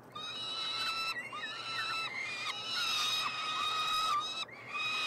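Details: Peregrine falcon triplets begging while being fed at a university nestbox in Montreal, Canada, on 21 June 2022. Harsh, sustained, overlapping screeches run almost without a break, some wavering and bending in pitch.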